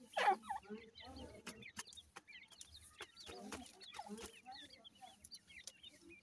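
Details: Grey francolin chicks feeding utter scattered high, wavering cheeps, with a loud rough note at the start and low clucks under repeated dry tapping sounds.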